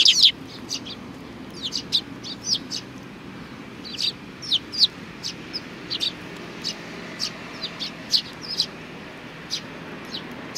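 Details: Sparrows at a shrine on 4 July 2019 chirping intermittently, sharp high notes spaced irregularly through the recording with a low steady background hum.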